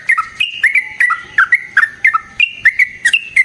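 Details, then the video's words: Yellow-vented bulbul fighting song for lure and training use: quick, clear bubbling whistles alternating high and lower notes, about four per second, crisp and evenly loud. "Burung TRUCUKAN GACOR Ropel Panjang Cocok untuk PANCINGAN Trucuk bahan dan MASTERAN Burung Trucukan"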